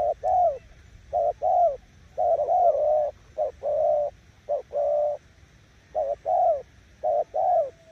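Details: Cooing spotted dove used as a decoy, delivering loud, closely spaced pairs of short and long mellow coos, some longer phrases run together, throughout.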